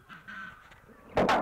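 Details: An Australian musk duck raised in captivity, recorded during a mating display, gives a soft, low voice-like mumbling, then a sudden loud, harsh thud-like burst imitating a slamming door.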